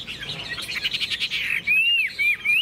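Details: Tame Chinese hwamei in a cage, hung out in the morning sun after fresh food, sings a dense warbling passage that breaks into clear, looping whistled slurs near the end.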